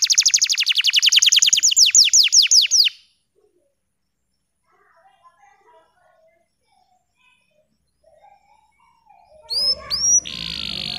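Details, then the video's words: Green canary (bottle-green variety) in full song, used as a tutor for young canaries learning to sing: fast rapid trill of repeated high notes for about three seconds, then near silence with faint low sounds, and brief rising whistles at the end. "Kenari Hijau Botol AF Gacor COCOK Untuk Pancingan Kenari Paud Belajar Bunyi !! Canary Singing"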